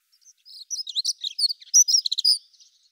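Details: Somewhat distant Prunella modularis song: a short, choppy burst of high, thin, squeaky notes tumbling quickly for about two seconds.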